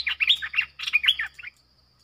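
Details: Caged streak-eared bulbul acting as a lure for wild birds: two quick bursts of bubbly, warbling chirps, each about half a second long with a short gap between, then silence apart from a faint high tone.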